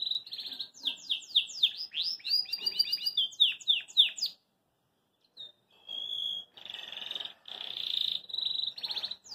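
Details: Belgian canary in a cage, singing happily and hopping about: fast varied chirps and sweeping notes, a pause of silence, then buzzy rolling trills and a clear sustained whistle.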